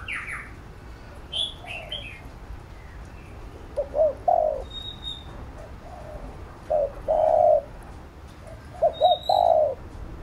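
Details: Spotted dove 'thúc gù' cooing for exciting a lure bird and training decoys: high chirps from other birds at first, then short groups of mellow coos ending in longer drawn notes, with a thin high whistle between.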